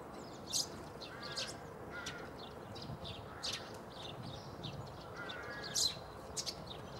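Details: Eurasian tree sparrow recorded on 9 March 2015 at Bundek in Zagreb, Croatia: short bright chirps at irregular spacing, with lower harmonic nasal calls from another bird and a low background rumble.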